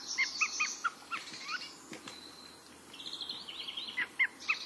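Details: A Eurasian jay sings its unusual, extraordinary song, unlike its classic forest alarm call: a quick, irregular and varied medley of clicks, soft chirps and thin high whistles over a faint steady hiss.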